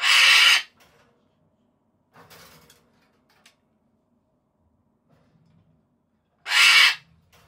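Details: Pet Solomons cockatoo calling for its owner out of affection: two loud, harsh, broadband screeches about six seconds apart, with faint rustling and soft noises in between.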